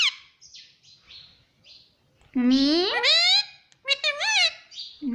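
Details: Pet talking green parrot imitating speech: a few soft squeaks, then a loud drawn-out rising voice-like call and shorter wavering vocal sounds, with quiet gaps between.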